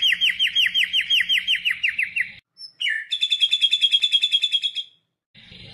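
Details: White-rumped shama (murai batu) singing vigorously as a lure recording full of fill-in phrases: a dozen quick, falling whistled notes in a row, a short silence, then a fast, buzzy, even trill of repeated high notes.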